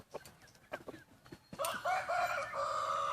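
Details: Wild chicken crowing at dawn during Hmong New Year celebrations, December 2020. Soft scattered ticks lead into a sudden strong crow that holds steady and harmonic to the end.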